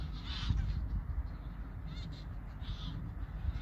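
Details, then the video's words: Migrating geese calling in flight over Koedijk, Langedijk, the Netherlands, on the evening of Wednesday 21 August 2019 in late summer. Distant nasal honks come in brief bursts, three of them spaced about a second apart, over a steady low rumble of wind. "Vogeltrek Ganzen/ Migration Gooses/ Migration d'Oies"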